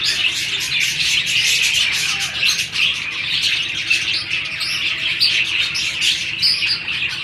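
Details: A continuous, busy warble of budgerigars during breeding-season mating: overlapping high chirps and scratchy notes with no pause, steady loudness throughout.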